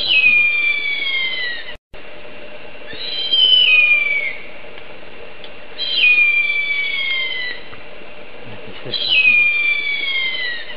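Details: Loud harpy eagle calling from tropical forest: drawn-out, piercing whistled screams gliding downward, repeated four times roughly every three seconds, with a brief dropout in the steady background hum.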